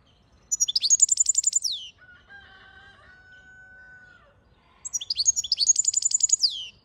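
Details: Goldfinch singing two high, ringing phrases of fast repeated trilled notes, each ending in a falling slur. Between them sounds a long, steady, much lower drawn-out call lasting about two seconds.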